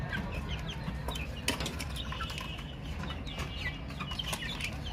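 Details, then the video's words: A group of baby chicks chirping softly; thin high peeps come in irregular runs, mixed with a few sharp clicks or taps and a steady low background drone. "Chicks Chirping Sounds - Baby Chicken Sounds"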